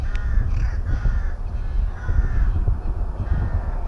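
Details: Rooks at a nest in a breeding colony at Tyrnovo, giving a few hoarse, drawn-out caws over a strong low rumble of wind or handling noise.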